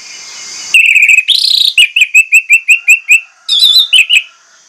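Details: Anis merah, the orange-headed thrush, in a lure-style song meant to provoke rivals to sing: a run of about eight evenly spaced, bright whistled notes, framed by buzzier, higher trilled phrases at the start and end.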